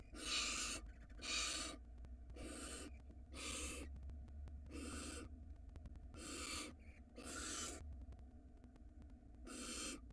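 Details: Nest of a barn owl pair with young in Israel, 2022, recorded by a live camera while the male delivers a mouse: harsh, breathy hisses repeated about once a second, uneven in length, over a constant low electrical hum.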